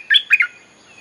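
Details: Bulbul lure sound for calling wild birds: two quick, bright, slurred whistled phrases in half a second, the second breaking into a brief chatter.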